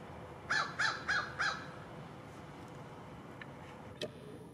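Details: Crow giving a quick run of four raspy caws, each rising then falling, recorded on a Panasonic DC-FZ80 camera; afterwards only steady outdoor noise and a single sharp click.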